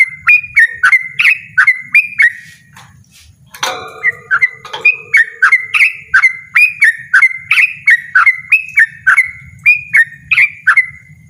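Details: Yellow-vented bulbul singing loudly and persistently in 'ropel' style: rapid, repeated, warbling chirps. A sudden rattling noise breaks in partway through, then the fast, bouncy phrases carry on steadily.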